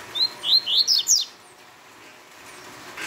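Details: A single rapid Tui Tui phrase from a double-collared seedeater: five quick high notes sweeping upward, growing louder toward the end, followed by quiet background.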